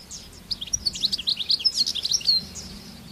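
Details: Free-living European goldfinch in rural surroundings: a lively, rapid series of high tinkling chirps and buzzy twitters running for around two seconds over soft low background rumble.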